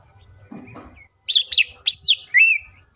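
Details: A green leafbird sings four loud, high, slurred whistled phrases in quick succession, some rising and some falling, after a brief faint chatter; the song is used as a lure to make other green leafbirds sing and get excited.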